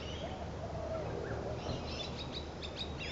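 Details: Spangled drongo on 26 July 2011 giving a quick run of sharp, metallic, twanging notes late on, over a steady low rumble of background noise.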